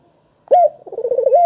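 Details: Short excerpt of a lure spotted dove, used to stir silent doves into calling: a crisp opening note followed by a quick bubbling flutter that rises back into a steady coo. Almost no background noise.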